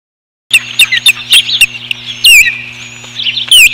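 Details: Banded male osprey trying to mate with a female, recorded May 29, 2015: loud, sharp, high chirps in quick irregular bursts, some whistled and sliding downward, with a steady electrical hum underneath.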